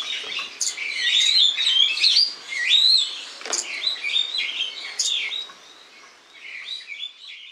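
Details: Spreo starlings recorded in August 2015: a lively, rambling run of high warbled whistles, squeaks and chirps, dense for five seconds, then thinning to softer twitters.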